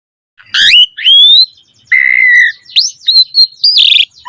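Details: Asian pied starling song used as a training lure for caged birds. After a short silence come a harsh note, a rising whistle, a long flat whistle, then short whistles and a final grating burst.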